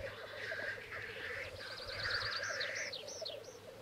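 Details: Black grouse males courting at a lek arena to win females, recorded on Sony and Canon EOS 7D cameras: continuous low bubbling cooing, with rasping hissed phrases and looping higher trills overhead.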